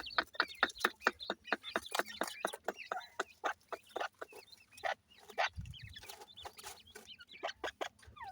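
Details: Grey francolin chicks (teetar) give a busy stream of short, sharp chirps and peeps, several each second, at uneven spacing. Brief low thuds and handling noise sound underneath.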